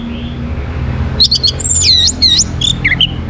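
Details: Orange-headed thrush (Geokichla citrina), a caged bird in Bali, sings to encourage other birds to sing: after a quiet start, a fast run of bright whistles, downslurred sweeps and chattering notes, with low hum beneath.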